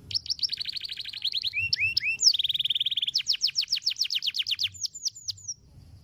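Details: Canary long roll song for training other birds: fast trilled phrases, a few lower slurred notes, a steady buzzing roll, then a run of sharp descending notes before the singing stops.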